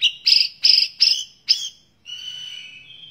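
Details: Actively singing white-rumped shama, recorded as a tutor for other songbirds and packed with varied phrases: four or five harsh, rasping bursts in quick succession, then a long, thin, steady whistle.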